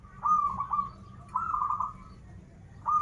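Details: Zebra dove, local Banten bird in good form, singing krital and warung kebek styles: two drawn-out, vibrating coo phrases with a brief gap, and a third beginning at the end.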